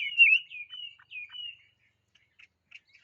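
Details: Short bird phrase of bright whistled notes with a sharp opening, followed by faint scattered chips and quiet.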